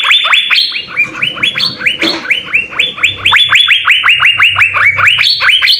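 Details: Blue-winged leafbird's jamtrok song with ngekek bursts, used for tutoring: long energetic run of repeated rising notes with higher flat tones between, and a brief low rumble in the background.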